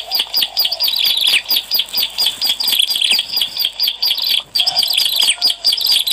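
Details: Lure recording of a Bar-winged prinia in full song. Busy, high-pitched twittering runs of quick chirps in a steady stream, broken into bursts, with a brief dip near the fourth second.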